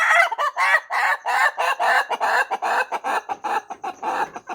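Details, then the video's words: Rooster crowing long in the morning, a continuous chain of quick, harsh, cackling syllables about two or three per second, gradually shortening toward the end. "The funny sound of a rooster crowing at length."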